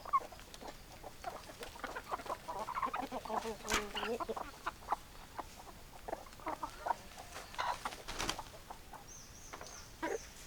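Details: Chickens cluck and cackle irregularly in short nasal bursts; a high, thin whistled call from another bird enters near the end, over steady background noise.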